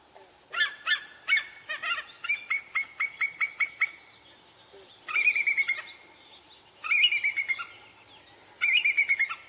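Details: A wild bald eagle, apparently around Vancouver, gives about a dozen thin, high, staccato piping notes, then three short bursts of rapid, wavering chatter, against a quiet background.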